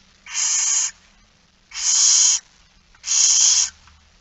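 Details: Barn owl begging at feeding time, 13 September 2019 at 06:57: three loud, rasping, hissing screeches, each under a second long, spaced roughly every one and a half seconds.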